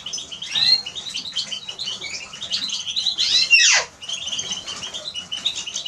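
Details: A Eurasian siskin sings dense, high twittering, then a long buzzy wheeze sweeps steeply downward. Brisk chatter resumes after a brief gap.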